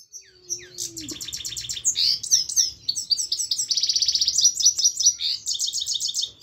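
Himalayan goldfinch singing a fast, liquid twittering song of high tinkling notes, with rapid rolling trills and buzzy phrases woven through.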